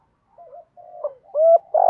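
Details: Spotted dove used as a decoy, cooing to lure and rouse other doves: soft low coos that build into louder, steady hoots near the end, with short gaps between phrases.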